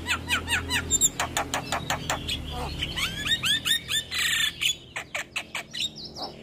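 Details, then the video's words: Morning song of a male Javan myna, full isian: steady repeated chirps, then a rising series of buzzy, hooked whistles, a harsh grating burst and more spaced chirps. "Masteran Jalak Kebo Pagi Hari Jalak Kebo Jantan Gacor Full isian"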